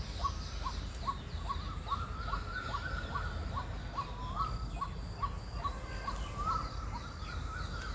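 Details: White-breasted waterhen giving what is described as a mating call among other birds: harsh, croaking notes about three times a second, steady and monotonous, over a strong low rumble of background noise.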